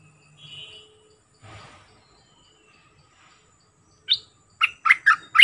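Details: Bulbul lure sound for drawing in aggressive wild birds: after a near-silent stretch with a faint hum, one sharp note is followed by a tight burst of four loud, chattery, clipped notes.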